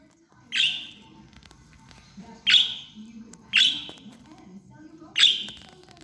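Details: A female pet budgerigar gives short, harsh chirps, each a quick scratchy burst, spaced one to two seconds apart.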